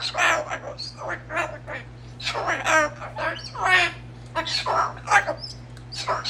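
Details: A female pet cockatoo, excited because it is night time, chatters in a run of harsh, speech-like squawks and syllables, rising and falling in bursts, with a person talking back and a steady low hum.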